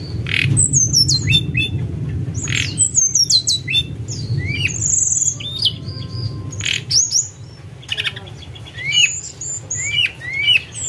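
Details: Snowy-browed flycatcher song for luring: bursts of high, thin whistles and quick upslurred notes mixed with harsh clicking squawks, over low background rumble.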